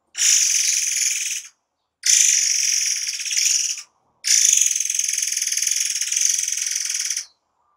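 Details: Murai air, or forktail, in 'tembakan rapat' style for masteran: three loud, grating buzzy trills of rapid pulses, about 1.5, 1.7 and 3 seconds long, separated by short silences. Nothing else is audible.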